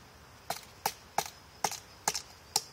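A woodpecker's six sharp, dry wooden knocks, spaced roughly every half second, slow single strikes rather than a rapid drumroll, over quiet background.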